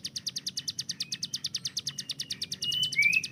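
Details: Hill prinia kept as a master tutor bird, its fast 'tembakan' burst likened to an AK-47: a rapid, even rattle of high, sharp notes for the whole clip. A separate thin whistled slur comes in near the end.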